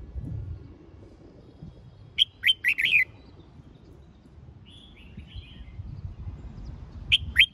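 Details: Red-whiskered bulbul phrases used to spur birds into competitive singing: a burst of four or five quick whistled notes, a softer, thinner warble after a pause, then two more sharp notes near the end, with low background rumble.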